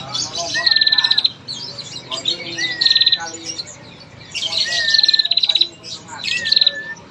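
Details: Female bar-winged prinia, used as a lure to set males calling: a long rattling trill that pairs a steady whistled note with a rapid buzzy ticking series, repeated in two-second bursts.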